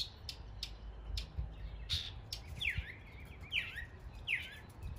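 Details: Mockingbird imitating area birds in East Tennessee: sharp clicks and chips followed by three repeated slurred, rising-falling whistled phrases, with low background noise.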